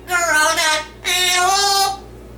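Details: Yellow-naped amazon, a pet male, imitating human singing of "Oh Lord It's Hard To Be Humble": two sustained, voice-like phrases with rich harmonics, each under a second long.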